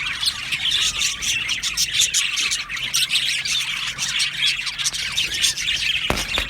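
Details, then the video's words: A breeding colony of Budgerigars in an aviary keeps up a dense, continuous chatter of high chirps and scratchy warbles, several birds overlapping with no pause; the sound may include mating calls. "Beautiful Budgie Singing and chirping sounds"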